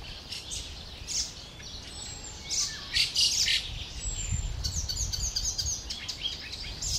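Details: Fieldfare fledgling begging while it waits for adults with food, recorded 20 May 2013; repeated rasping, scratchy squeaks in quick irregular bursts, busiest in the middle, with faint low rumble and other soft chirps behind.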